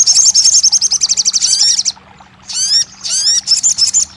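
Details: Sogon, the crested jay, in a recording meant to make a quiet bird start singing: a dense, rapid metallic rattle for about two seconds, then a pause and two shorter rattles laced with rising whistles.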